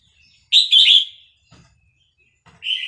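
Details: {'text': 'Excited caged Vietnamese red-whiskered bulbul answering a chick recording with a loud, rich warbling phrase, brief clicks, then the start of another bright phrase.'}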